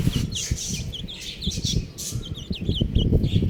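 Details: A group of buff chicks peeps rapidly, with short high slurred notes, some bending up, others dropping, about three per second. Dull bumps and shuffling fill the background.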